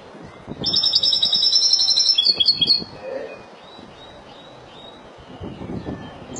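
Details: Malaga-style singing by a Spanish goldfinch: about two seconds of fast, high, buzzy trilled notes. Faint soft calls and background hiss follow.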